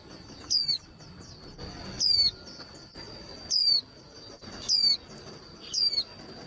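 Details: A female white-eye (khuyên mái), used to rouse other white-eyes to sing, gives thin, high, falling chirps. There are five in all, about every second and a quarter, over a faint steady high-pitched whine.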